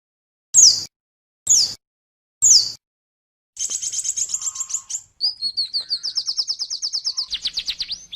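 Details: Oriental white-eye training song (masteran) for cage birds: three separate high, sharp downslurred notes, then a fast, buzzy, ringing trill that breaks into a rapid series of bright repeated chirps falling in pitch at the end.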